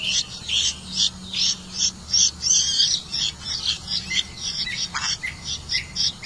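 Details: Red-vented bulbul catching crickets for its young, with a steady stream of high, clipped chirps, nearly three a second, keeping up throughout.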